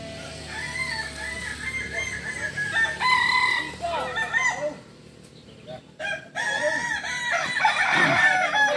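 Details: Crowing of the kukuak balenggek, a multi-level crowing village chicken native to Tigo Lurah in Solok, West Sumatra. Layered, wavering crows rise and fall in steps, pause mid-clip, then resume loudly with several voices overlapping.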